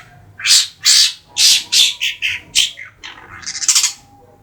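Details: Three-month-old caged Madura long-tailed shrike delivering a run of loud, grating squawks, about two per second, easing into softer chattering notes and a brief rising trill near the end.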